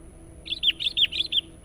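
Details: Sooty-headed bulbul song for luring wild birds, described as persistent and chatty: five quick bubbly chirped notes in a tight burst, each bending sharply, sung over a quiet background with a faint steady high tone.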